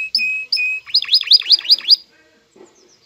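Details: Male canary excited for mating, singing to a female: two steady paired whistles, then six quick V-shaped chirps in a rapid run, followed by near silence.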